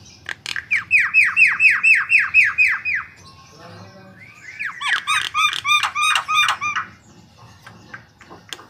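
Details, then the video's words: White-vented myna (jalak kebo) song meant as a lure: a fast train of repeated downslurred whistles, a short pause, then a burst of loud, rich looping notes repeated quickly, fading into scattered clicks. "Suara Gacor Jalak Kebo Untuk Pancingan"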